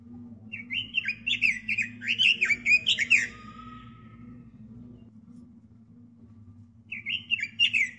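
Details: Pet robin singing a master song meant for teaching other birds: quick, jerky warbled notes strung into a phrase of nearly three seconds, silence, then the warble starting again, with low hum beneath.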